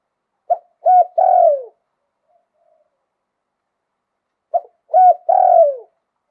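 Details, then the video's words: Spotted dove, liu tan song with wild-type voice, Thailand: a short pip, a clipped coo and a long falling coo form each phrase; two phrases about four seconds apart, quiet between. "หลิ่วตัน มงคล ขันโยนเพราะๆเสียงป่า"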